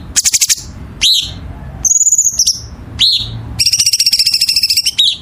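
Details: Songbird in a masteran training recording: opens with a rapid stuttering trill, then a sharp descending chip, a long high whistle, another downslur and a long pulsing buzzy trill, over a low background hum.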